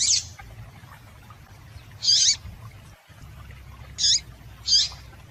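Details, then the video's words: Female yellow-bellied seedeater calling to excite males into singing: short, high, thin chirped notes, each about a third of a second, spaced roughly two seconds apart over a low steady hum. "Melhor Piado de Fêmea de Papa capim Para Esquentar Papa capim"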